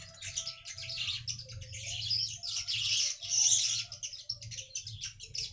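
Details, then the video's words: A weaver lure recording meant to pull in wild weavers: continuous high, wheezy, buzzing chatter swells and dips throughout, with a soft low hum beneath. "BURUNG MANYAR UNTUK PANCINGAN BURUNG MANYAR BAHAN"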